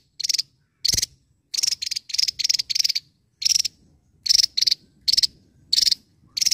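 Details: A Javan tesia in full voice gives shrill pulsed bursts in uneven runs, some close together and others spaced by short pauses. A dull knock sounds early on.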